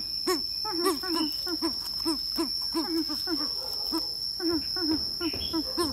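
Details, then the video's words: Greater coucal drawn to a female, giving a run of deep, hollow hoots in quick succession, some doubled or overlapping, over a constant high electronic-sounding whine and faint background hiss. "Chim bìm bịp mê mái"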